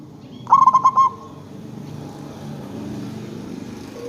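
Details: Local zebra dove serving as a lure to prompt other zebra doves to respond: a single short trilled coo of rapid beaded notes, followed by a faint low hum.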